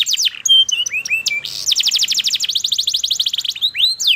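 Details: Canary singing: opening whistled upslurred notes and short tones, then a fast rolling trill of high chirps, ending with rising swoops.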